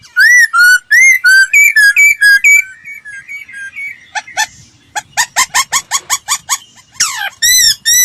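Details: Laughingthrush song used as a lure recording to train birds' voices: clear rising-falling whistles repeated about twice a second, then a quieter warbled stretch and a fast run of sharp, stacked staccato notes, ending with more arched whistles.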